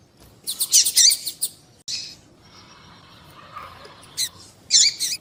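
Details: Female double-collared seedeater calling to stir up males: rapid bursts of high chirps and short falling whistles, separated by quiet gaps with a faint lower hum.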